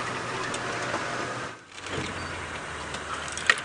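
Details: A steady engine drone and road rumble dip briefly, then a single sharp click sounds near the end, with no animal calls.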